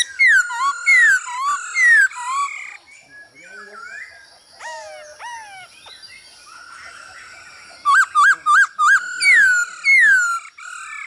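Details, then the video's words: Male hwamei pouring out song with a female calling, a training recording for cage singers: loud downslurred whistles, varied mid-length phrases, then a quick burst of short looping notes and more falling whistles. "Khướu trống hót múa cực đỉnh kèm tiếng mái ro kích quá hay"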